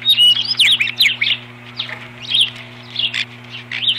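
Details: Osprey pair at their nest on 21 April 2015, defending it from an intruder: rapid high, sharp whistled chirps in quick bursts, about two or three per second, over a steady low electrical hum.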